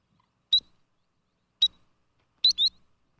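A sandpiper gives sharp, thin, high-pitched notes, three calls roughly a second apart, the last one doubled. Otherwise quiet.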